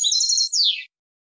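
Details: Short Malaga-style phrase from a European goldfinch, meant for chick tutoring: a high buzzy twitter flowing into a sweeping descending note, under one second, followed by silence.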